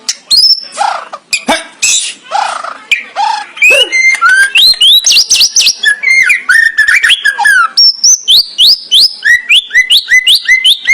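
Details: White-rumped shama song, loud and varied: harsh noisy notes, then clear rising whistles and a long series of repeated upslurred whistled notes.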